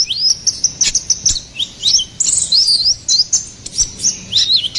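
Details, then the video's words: High, thin song of a ruby-cheeked sunbird (konin kolibri ninja) in gacor style: quick zigzagging whistled notes that rise and fall, delivered in bursts separated by brief gaps. "SUARA GACORAN KONIN KOLIBRI NINJA"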